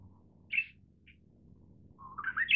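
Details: Manchurian bush warbler (Horornis borealis, also called short-winged bush warbler) song: two short high chips, then a clear whistle climbing steadily in pitch and cut off at the end, over a faint low hum.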